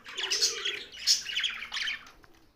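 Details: A young budgie gives three quick bursts of bright, scratchy chirps within two seconds, with faint low cooing behind them.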